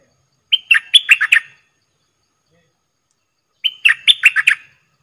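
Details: A partridge calls as a hunting decoy to lure wild birds, giving two bursts of about six quick, chirping notes, each about a second long and roughly three seconds apart.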